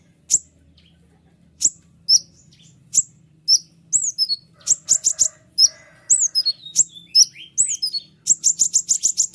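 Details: White-winged triller with a clear, sharp song used to train other birds and provoke rival trillers: isolated high chips, then bending downward whistles, ending in a fast, evenly spaced staccato run.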